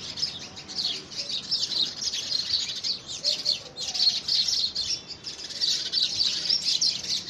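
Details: Several house sparrows squabble over possession of a handmade nest box in the first week of February 2017, giving dense, overlapping high chirps that run almost without pause throughout, with short louder bursts.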